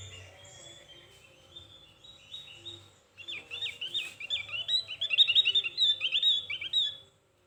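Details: Javan grey-throated white-eye singing: quiet, sparse high chirps at first, then a loud burst of fast scratchy twitters and slurred whistles for about four seconds before stopping abruptly.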